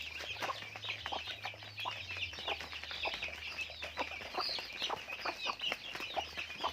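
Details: Many chickens on a farm give a busy wash of thin, high chirping notes, short and overlapping, with a faint low hum running underneath.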